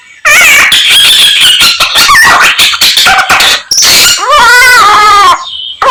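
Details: Samyong in full song imitating many other birds, running together harsh scratchy notes, a thin high sustained whistle and wavering, harmonic-rich warbles, loud and close with a short pause near the end.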